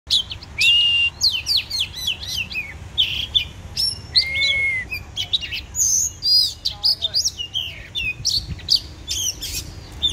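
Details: Oriental magpie-robin, described as a legendary fighting bird, singing a rich, varied song of bright whistles, quick upswept and downswept notes and short trills in rapid bursts, with low background hum.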